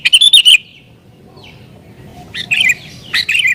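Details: Sooty-headed bulbul singing agitatedly, used to lure wild bulbuls: bursts of bright chattering notes, a pause with faint thin whistles, then two more short chattering phrases.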